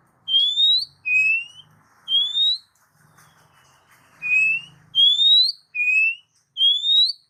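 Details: Lure recording of an Oriental magpie-robin for pet-bird training: clean upslurred whistles, alternating higher and lower, repeated about once a second with a short gap midway, over a faint low hum.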